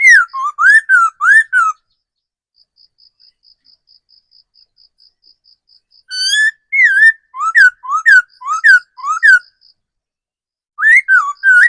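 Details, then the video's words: Wild-caught mature laughingthrush kept as a decoy bird, singing loud whistled phrases that slur down and up, delivered in quick bursts with pauses between, while a steady high insect-like ticking pulses in the gaps. "Tiếng chim khứu mồi già rừng"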